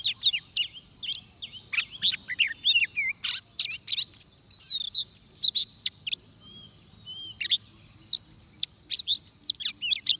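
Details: Oriental magpie-robin at a trap in Vietnam delivering a long, varied song: clusters of high chips and trills alternate with smooth slurred whistles, a short lull midway, then another dense burst of phrases.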